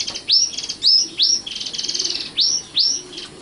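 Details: Young common nightingale singing loud upward-sweeping whistles, each followed by a dry buzzy rattle, repeated several times with short gaps.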